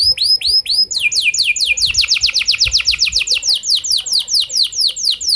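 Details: Canary lure song for getting other canaries to sing at length: a few looping whistled notes, then a long series of quick falling high sweeps.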